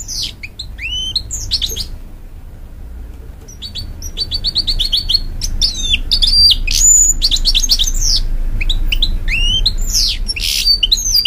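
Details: Hybrid goldfinch from a canary cross, singing to encourage chicks, a long varied twittering song of sliding whistles and rapid repeated notes, briefly pausing then resuming more loudly, with low rumbling underneath.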